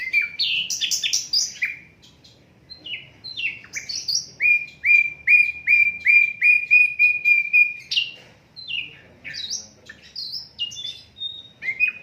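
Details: Asian brown flycatcher singing, unedited, used to train songbirds: varied sharp, descending high chirps, then a steady series of about a dozen identical clear notes, followed by more mixed twittering phrases.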